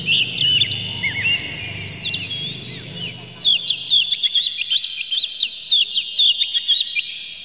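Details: Oriental magpie-robin in excited song with its tail open, aimed at rousing other magpie-robins: sweet slurred whistles at first, then a rhythmic train of crisp, high chirps repeated several times per second.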